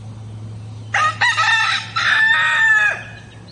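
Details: Rooster crowing at dawn on a farm, a loud cock-a-doodle-doo in two bursts, the first short and broken and the second long and drawn out before fading, over a steady low hum.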